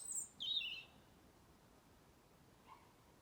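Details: Bird in a garden tree in Blackrock, Dublin, in November, giving a couple of short, very high, thin chirps, followed by quiet with faint distant hum.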